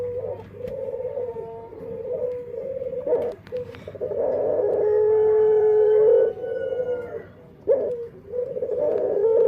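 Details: Dove with an odd, unique voice, possibly a defect. Low coos come in bursts, with a long, swelling, hollow note in the middle, then pauses and renewed cooing over a faint mains hum.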